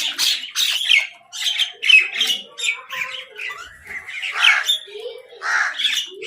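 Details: Quarrelling over food, crows utter a run of rough, rasping squawks about every half second. Some calls are shrill and screechy, others lower and throaty.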